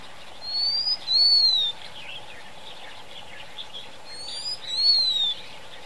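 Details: Two phrases from a Blue-winged minla, each a thin rising whistle followed by a longer downward-curving whistle, high-pitched and clear, spaced about four seconds apart over a faint hum.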